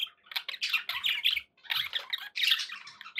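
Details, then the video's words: Pet budgerigars chattering indoors: dense bursts of scratchy, squawky warbles and chirps, with short pauses between runs; a few faint low thumps underneath. "11 hours of budgie sounds"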